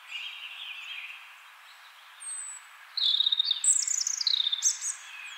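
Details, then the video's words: European robin singing in spring, a low warbled opening followed by a single thin whistle, then a loud tumbling run of very high, rapid trilled and sliding notes. "European robin spring song"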